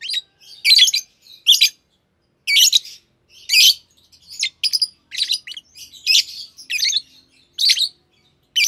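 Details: Two green Fischer's lovebirds in captivity chirping steadily: loud, raspy, high-pitched bursts repeated about once a second, some doubled, with faint softer notes between.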